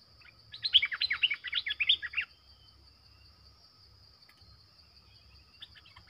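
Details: Lure streak-eared bulbul calling wild birds. A loud run of rapid, excited chirps lasts about a second and a half, followed by quiet with a few faint distant notes. A steady high insect whine continues throughout.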